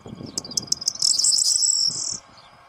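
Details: Corn bunting singing in breeding excitement by a hide in the morning: a few quick ticks run into a high, crackling, jangling trill over about a second, with low rumbling noise underneath.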